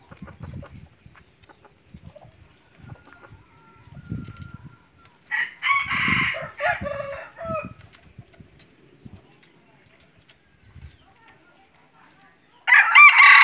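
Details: Among soft thumps and murmured voices, a decoy red junglefowl used for hunting delivers a harsh, ragged crow midway, and another begins loudly at the end.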